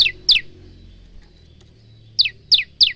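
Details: ['A male Bar-winged prinia sings loudly, recorded with a basic phone. Two sharp high notes slide downward, then after a pause three more of the same come in quick succession.']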